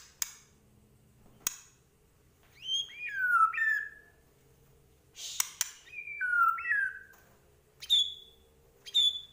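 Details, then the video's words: White-rumped shama from Medan in 'gacor' song with full 'isian': separated phrases of clear whistles swooping down then up, each opening with a high note, spaced by quiet gaps with occasional sharp clicks. "Murai Batu Medan Gacor Full Isian"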